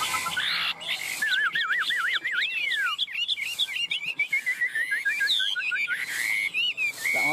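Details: Tame caged male Chinese hwamei, recorded 22 September at 16:21, singing loudly and continuously: rich looping whistles, slurred rising and falling phrases and quick varied trills, with a faint background hiss.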